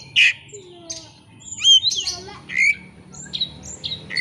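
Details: Oriental magpie-robin in combative song, used to lure another bird into singing its repertoire: harsh squawks alternating with whistled slurred notes and short chirps, spaced unevenly, low background hum.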